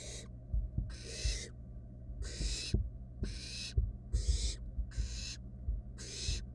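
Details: Nest-box barn owl nestlings, wild, squabbling over a rat: seven loud, breathy rasps just under a second apart, mixed with scratching thumps of movement and a steady hum.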